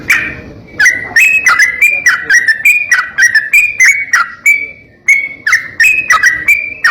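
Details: Sooty-headed bulbul (trucuk), a vocal singer in the 'ropel nembak kasar' style, used as a training recording: a string of short whistled, bubbly phrases repeated about twice a second, with a brief break near five seconds.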